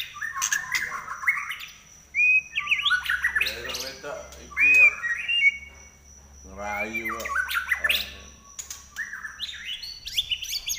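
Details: Captive White-rumped shama in shrill nyelit trek song: loud clear whistled notes and slurred phrases broken by short buzzy, rattling bursts, delivered in irregular spurts with brief pauses.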